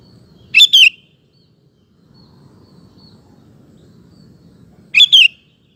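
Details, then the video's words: Sooty-headed bulbul lure song for drawing other males into song; two identical bright whistled couplets about 4.4 seconds apart, each rising then sliding down, with a low murmuring background between. "Kutilang Gacor Ampuh untuk Pancingan Maupun Masteran Burung"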